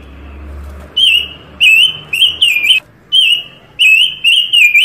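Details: Panca Warna bird singing busily, used for song tutoring and for lure trapping; a string of bright warbled whistles with quick pitch wobbles in short bursts, over a faint low hum at the start.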